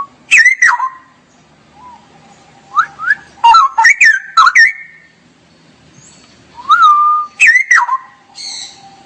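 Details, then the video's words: Straw-headed bulbul in 'ngerople' style 'gacor' song: repeated bursts of loud, liquid, gurgling warbles with sharp upward sweeps, separated by quiet pauses of a second or more and a few faint lower notes. "Kicau Burung Cucak Rowo Gacor"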